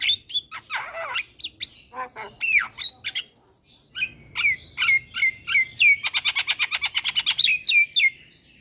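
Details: Highly vocal Javan myna, recorded as a lure for young birds to sing along: squeaky chatter and slurred notes, then a quick series of repeated down-slurred whistles over a scratchy buzzing burst.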